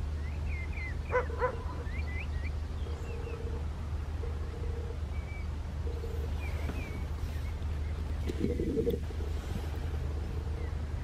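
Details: Western jackdaw at Landtong Rozenburg, the Netherlands, 27 May 2023, giving a sharp nasal call early and a harsher burst later, among other birds' short whistled slurs and flat droning tones, with steady low wind rumble throughout.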